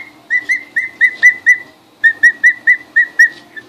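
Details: Two-week-old emu chicks, newly arrived and getting their first look at the house, recorded 24 February 2013, giving clear whistled peeps in rapid runs of six to eight evenly pitched notes, with a short pause between runs.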